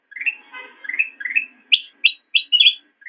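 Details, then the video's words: Black-crested bulbul singing, recorded as a master track for training caged songbirds: three rising slurred whistled phrases, then a run of sharper, higher chirped notes, clean with no background sounds. "Ocehan Burung Kutilang Emas"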